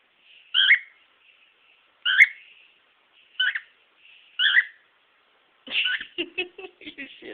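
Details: Pet male cockatiel performing some of his repertoire: four sharp two-toned whistles at irregular intervals over quiet trilling, ending in a burst of rapid clicking, chattering notes.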